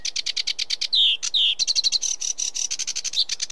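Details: Continuous fast sedge warbler song, a dense stream of dry chattering notes mixed with two grating churrs and short whistled phrases, loud and close.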